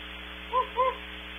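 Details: Very distant Great Horned Owls at Starr Ranch, California, in a heavily processed and distorted recording: two short, soft hoots about a quarter second apart over a steady electrical hum and hiss.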